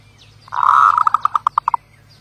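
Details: Zebra dove singing a smooth rolling coo followed by roughly eight crisp, separate staccato pulses that slow gradually, like a stuttering trill.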